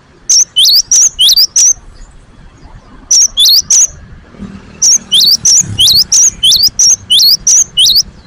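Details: Energetic Cinereous tit song: bright, sharp two-part whistles repeated rapidly in bursts of three to seven, with brief gaps and a soft rumbling background.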